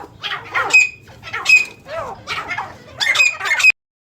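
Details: Kept francolins in the Soon Valley near Khushab give loud, rasping squawks in four bursts across a few seconds, each a harsh overtone-rich call, with faint low background hum and nothing else clear.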